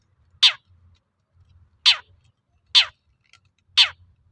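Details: Long-tailed shrike (cendet) sound used to provoke other shrikes into replying: four harsh, rasping downward-sweeping notes, each under half a second, spaced about one second apart, with faint low rumble between.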